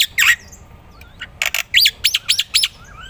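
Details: Vigorous black-winged myna singing for songbird training. A harsh squawk opens, followed by a pause with faint whistles, then a string of loud, hoarse, arching notes about every quarter second.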